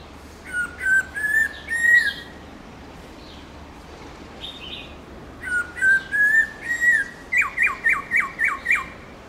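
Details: A black-throated laughingthrush sings wild-type song for training birds, clear whistled phrases that rise slightly, ending in a run of quick repeated notes.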